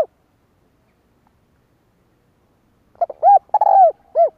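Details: Spotted dove kích bổi call. A long silence is followed by one phrase: short clipped notes, a rounded coo, a long sliding coo and a final short coo. Quiet background.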